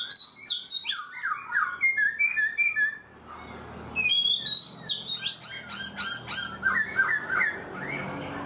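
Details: Black-throated laughingthrush in a cage for four months giving loud, rich whistled song: descending slurred notes, a short gap, then quick rising and falling phrases repeated in a lively series.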